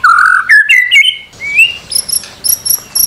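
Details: White-rumped shama song used as a master recording to make birds sing: rich whistled phrases stepping upward in pitch, then high thin repeated notes near the end.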